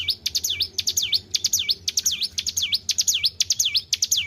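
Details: White-browed shortwing kept in captivity, singing keenly: piercing whistled notes that plunge then climb, strung together rapidly and steadily, accompanied by a faint low-pitched hum.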